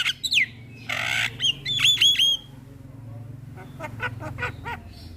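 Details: Javan pied starling singing in the morning as a model for young birds: a falling whistle, a long buzzy rasp, then a series of sharp whistled upsweeps and fading clicky notes.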